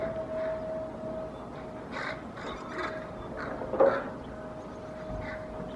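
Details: Hooded crows in Helsinki, Finland, on 8 May 2024 give harsh, rasping caws in scattered short bursts, about four in six seconds, trying to chase away a hidden Common Raven tearing apart a pigeon carcass behind a cliff; faint steady hum.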